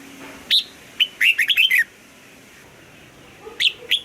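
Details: A red-whiskered bulbul sings its old-forest double-note morning song. A sharp rising note opens, then a rapid cluster of warbling whistles follows. A shorter second phrase starts near the end, with a faint low hum behind.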